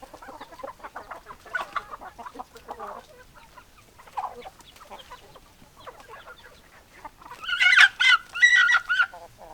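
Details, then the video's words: Chickens cluck in quick, irregular bursts of short notes, then louder, harsher and higher squawking calls rise near the end in a close recording. "Chicken Sounds Noises Hens Clucking Roosters Crowing"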